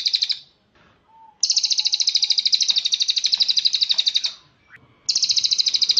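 A cililin gives long, high, buzzy trills, fast pulsing runs lasting about three seconds, separated by short pauses, with a faint low whistle in the gap.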